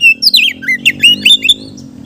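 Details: Oriental magpie-robin song as lure for other magpie-robins: a short sequence of clear whistles and rapidly slurred, twisting notes, tightly packed, over a steady low hum.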